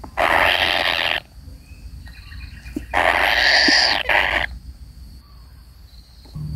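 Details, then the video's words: Kingfisher chick waiting for its parent, giving two loud harsh rasping bursts, each about a second long, with quiet gaps between them. "burung tengkek kayu menunggu induk nya"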